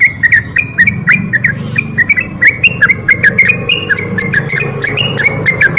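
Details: Sooty-headed bulbul in sustained, chatty ropel song used as a lure for lazy birds: continuous stream of short whistled notes rising and falling, steady and rhythmic, over a faint low hum.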